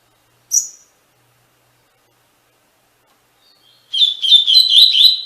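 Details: Captive-training song of a double-collared seedeater, Tui Tui Fibra style. A single sharp high chip is followed after a long pause by a quick burst of warbled, buzzy whistled notes. Background silent.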